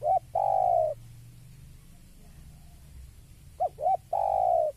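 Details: Spotted dove calling on seeing a rival: two short rising coos followed by a long, drawn-out falling coo, repeated after a pause of about three seconds; low rumbling background noise.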